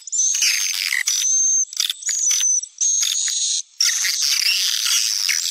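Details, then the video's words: Sumatran-style swiftlet calling sound meant to attract swiftlets: shrill chirping bursts about one per second, thin whistled streaks over crackly twitter, separated by short silent gaps. "Suara panggil walet"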